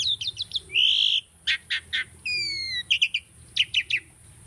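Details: Caged Asian starling singing for bird training: quick chirps, a sustained harsh buzz, a stack of falling whistled tones and crisp paired chirps, with a constant high hiss.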